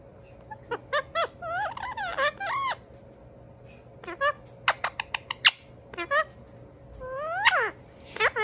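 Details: Two Indian ringneck parakeet brothers chatter to each other: sharp clicks, short squeaky harmonic notes, wavering whistled tones rising and falling, and a long slurred squeal near the end, over a steady low hum.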